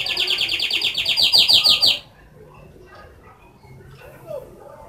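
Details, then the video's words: Canary whistling a rapid, bright trill of repeated high notes for about two seconds, then stopping abruptly, leaving faint low background noise and a soft distant chirp. "Beautiful whistling of canary"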